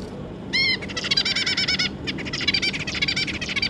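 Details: Zebra finches, an adult pair with their three juveniles, recorded 25 July 2022: a clear rising whistle, then dense runs of buzzy, nasal stacked notes in quick bursts, with a short pause near two seconds before the chatter resumes.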